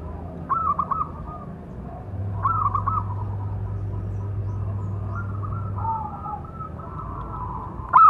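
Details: Local zebra dove with a big voice, its calling song used to provoke other doves: short bursts of rapid, clipped coos recur a few seconds apart between softer, longer coos, with a steady low hum in the background.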